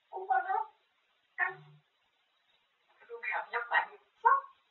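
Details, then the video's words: Pet grey parrot chattering nonstop about food indoors, speaking in short voice-like phrases: two brief bursts, a pause, then a longer run of syllables ending in a sharp final word. "쉴새없이 떠드는데 다 먹는 이야기"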